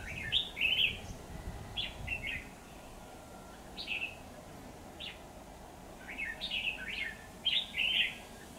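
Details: Red-whiskered bulbul used as a decoy bird for trapping, recorded 28 September 2019: short bright chirping phrases, scattered across the recording with pauses, against a steady broad background hiss.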